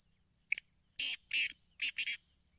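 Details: Sindhi black francolin, recorded on 30 June 2023 and calling well: a harsh, grating phrase of one short note then four loud, rasping notes paired in twos over about two seconds, over a steady hiss.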